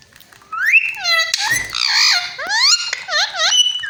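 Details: Pet parrot mimicking a cat's voice indoors: a dense run of rising and falling harmonic notes, wavy meow-like glides and a brief rough burst, continuing without pause.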